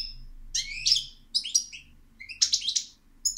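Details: Short phrases of European goldfinch song, with sweet liquid chirps and a buzzy twittered burst, separated by brief gaps, over a quiet low hum.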